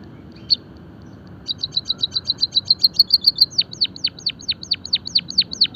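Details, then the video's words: Java sparrow singing, recorded as masteran and pancingan training song: an early single note, then a fast run of short clicky chips near the same high pitch, shifting into a series of ringing notes that drop sharply, about two per second. "emprit kaji gacor - masteran dan pancingan burung pipit jawa peking bondol haji biar gacor"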